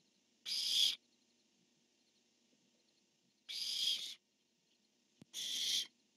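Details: Pair of barn owls on a nest camera, 1 October 2015, male calling and female replying: one harsh hissing screech, a long pause, then two more screeches close together, a brief click just before the last.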